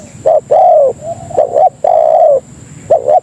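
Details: Spotted dove (tekukur) calling to attract companions: two brief notes, then a long even coo that dips at the end, followed by another clipped pair, all close and loud.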